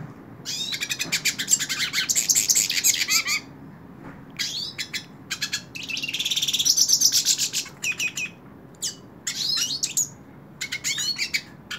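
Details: Hooded siskin singing while held in a hand: long, fast, high twittering phrases full of trills and buzzy notes, broken by brief silences, then choppy chirped fragments toward the end.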